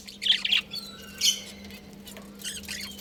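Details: Colony of caged budgerigars, a breeding pair among them, calling at home: bright squawky chirps open the recording, then a thin drawn-out whistle, a sharp chattering burst and softer scratchy twitters, all above a constant low electrical hum.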